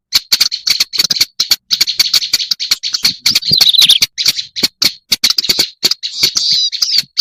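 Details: Lure recording of a black-browed reed warbler for attracting birds, packed with fast, dry, chattering clicks and raspy twitters in quick succession, with a few squeakier slurred notes mixed in.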